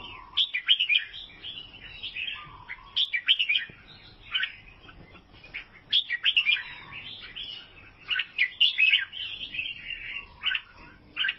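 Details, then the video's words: Vietnamese albino sooty-headed bulbul giving lively bubbling song: clusters of sharp chirps and short warbled whistles, with bursts every couple of seconds and a few lower mellow notes between them. "KICAUAN BURUNG KUTILANG ALBINO"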